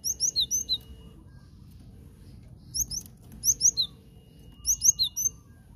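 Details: Cinereous tit used to lure birds into traps: rapid runs of four or five high, slurred chirps, then a pause and similar runs repeated. A steady thin tone sounds faintly beneath.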